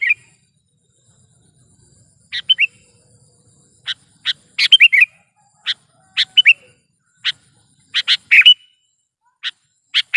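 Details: Sooty-headed bulbul recorded as a trapping lure and tutor sound. Calling is busy and steady, with frequent sharp chips and repeated short bubbly slurred phrases throughout.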